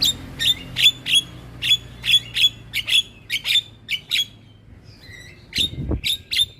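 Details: Starling song used to lure other starlings and get quiet birds singing, a string of sharp, scratchy chips spaced roughly half a second apart, a pause with a faint whistle, then more harsh notes.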